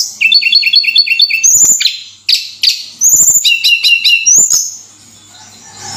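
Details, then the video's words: Javan sunbird, known locally as tledekan, singing actively: rapid series of high thin repeated notes, then sharp chips, buzzy trills and a rising whistled note, all high-pitched and bright. "Suara Burung Tledekan Gacor"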